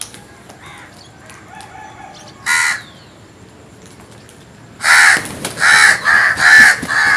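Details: Crow calling in the morning: one harsh caw, then a quick run of five or six loud, hoarse caws close together near the end, with faint chirps from other birds earlier.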